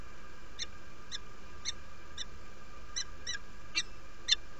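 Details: Derby, UK, 17 February 2017 at 07:47: a female peregrine falcon arrived at the nest calls invitingly in a steady string of eight crisp, rasping chips, roughly two per second, over faint hum.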